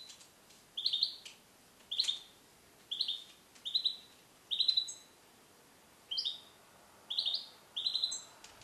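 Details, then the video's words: Caged male European goldfinch, born in 2021 and educated with Neapolitan song passages; a series of short, bright, slurred chirps repeated about once a second, each with a little upward twist. "Cardellino Passata Napoletana 2021 - KH24 - European Goldfinch - Jilguero cate limpio"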